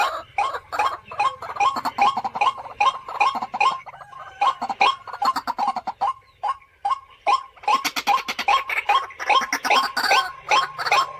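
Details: A captive house-kept white-breasted waterhen, about 3–4 years old, gives harsh, grunting croaks in a steady run of about two to three per second, growing busier and more overlapping near the end.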